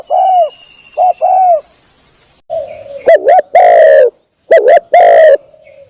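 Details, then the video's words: Spotted dove coos used to lure birds, loud and close: short mellow hoots at first, then harsher, louder phrases of clipped and drawn-out coos, with a faint steady high tone in the background. "SUARA PIKAT MP3 BURUNG TEKUKUR"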